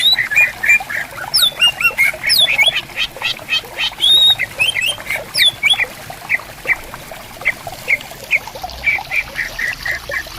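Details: Greater green leafbirds exchanging song in bamboo forest at a riverside: a fast, dense medley of ringing whistles, upward-swooping notes and rapid chatter, later easing into sparser single chips, set against constant running water.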